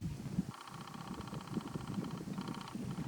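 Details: A red-necked falcon, filmed close up at the Little Rann of Kutch, Gujarat, India, in January 2020, gives a rapid, harsh chattering series of notes lasting over a second, then a shorter burst, over a steady low rumble of wind or handling noise.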